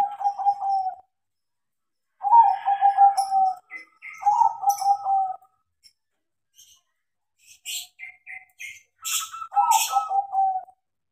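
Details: Trained zebra dove of a crossing line singing: three separate phrases of rolling, slightly buzzy coos spaced a few seconds apart, with faint high chirps and wing-like flutters in the quiet gaps.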